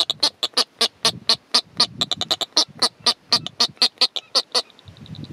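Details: A courting pair of Atlantic yellow-nosed albatrosses allopreening on Gough Island, Tristan da Cunha, in September 2014, giving a fast, harsh clattering series of about four sharp pulses a second for over four seconds, then fading into soft background noise.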